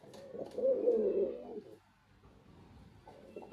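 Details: Male white pigeon giving one low, throaty cooing phrase lasting about a second, swelling then fading, followed by quiet room noise.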